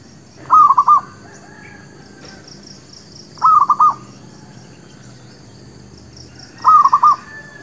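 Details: Local zebra dove giving a lure song for trapping and for new birds: short bursts of three or four quick, clipped cooing notes, repeated about every three seconds over a quiet background with faint high pulsing.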